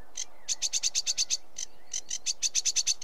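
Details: A sedge warbler delivers quick, scratchy chattering notes in two rhythmic runs, each note a dry high tick, with a short gap between the runs.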